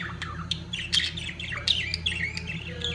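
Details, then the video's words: Budgerigars at the height of mating, a continuous twittering warble of quick rising and falling chirps with clicks, over a steady low hum. "طيور الحب البادجي في قمة تزاوجها"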